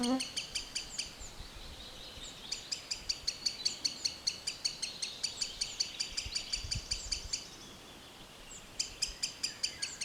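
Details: Green sandpiper calling in woodland: a long series of bright, sharp notes at roughly three per second, pausing briefly near the end before resuming, over a quiet background.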